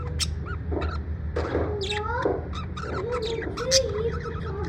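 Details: Parrot in the USA in a happy mood, mixing rising and falling warbled whistles with sudden harsh squawks and clicks, over faint low hum.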